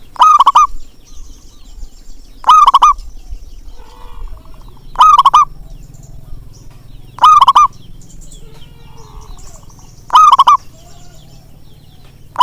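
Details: Local zebra dove, known for a big voice, coos to prompt reluctant birds to sing. Five bright phrases of a swelling note and quick trilled pulses repeat at steady intervals, with fainter cooing and a soft hum between.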